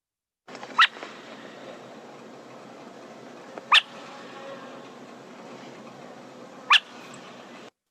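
A Burrowing Owl gives three short, harsh rasping screeches, about three seconds apart, over a steady background hiss.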